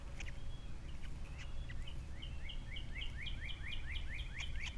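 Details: At a Captiva nest with three young, February 2022, an osprey starts calling midway, a rapid accelerating string of upslurred whistled yelps growing louder, over constant low-frequency wind noise.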